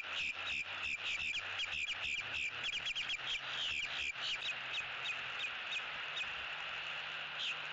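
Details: Eagle at a Southwest Florida nest, October 6, 2017, nest building and bonding; loud, rapid high-pitched piping notes tumble in a long chittering series, slowing and thinning toward the end, with background hiss.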